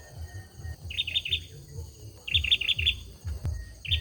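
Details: Singing male olive-backed sunbird delivers short runs of three to four high, clipped notes, pausing between phrases, with a low pulsing rumble and a brief click in the background.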